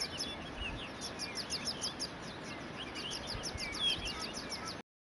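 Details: Kirstenbosch, Cape Town, South Africa, 26 July 2012: a Cape canary (Serinus canicollis canicollis) pours out a fast jumble of tinkling, slurred chirps, accompanied by an evenly repeated high ticking, ending abruptly.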